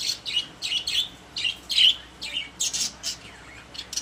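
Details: Budgerigars kept as pets in a cage give a run of short, squeaky chirps about every third of a second, some slightly buzzy, with a louder squawky note midway.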